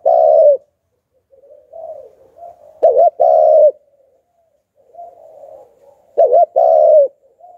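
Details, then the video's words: Spotted dove of the Hạp Bổi voice style, a decoy bird used to lure wild doves, cooing in a repeated phrase: soft low murmurs building to two loud clipped coos, the pattern repeating about every three seconds. "Chim Cu Gáy Giọng Hạp Bổi - Kích Là Gáy 100% -Tiếng Cu Gáy Kích Mồi"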